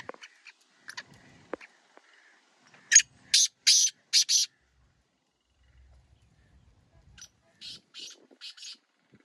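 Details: Black francolin calling: a run of four harsh, rasping, evenly spaced notes, then a quiet gap with faint ticks, followed by a softer repeat of four similar grating notes.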